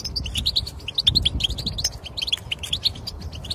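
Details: European goldfinch song played to encourage a silent goldfinch to sing: rapid twittering of short bright notes, tinkling and chirpy, in quick irregular bursts over a faint low hum.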